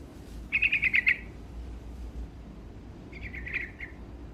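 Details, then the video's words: Energetic sooty-headed bulbul singing to provoke rivals. A bright, bubbly phrase of quick rippling notes comes first, and a softer, slurred chattering phrase follows after a two-second pause. "Suara Burung Trucuk Gacor Dongkrak Emosi Lawan"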